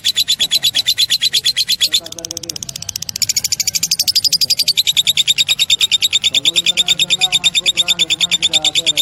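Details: Numerous lovebirds calling in gacor style, meaning vigorous nonstop singing. Rapid, piercing, high chirps stream at a steady fast pulse and rise briefly in pitch and intensity partway through, over a quiet low background.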